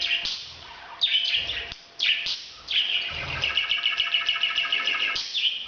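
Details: Breeding sound of a parrot: scratchy squawks, then a fast run of buzzy, trilled chatter near the end, with a low background hum throughout.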